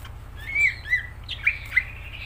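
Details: Cucak ijo (greater green leafbird) in gacor song. Sliding, slightly squawky whistles are followed by a few sharp, accented notes, with a constant faint hum below.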